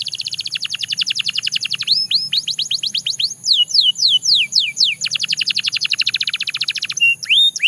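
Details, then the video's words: Singing Belgian canary alternating bursts of very rapid descending notes with slower, looping whistled phrases, high-pitched and bright, ending on a couple of drawn-out rising whistles. "The Most Effective Canary Singing Sound – Belgian Canary Edition"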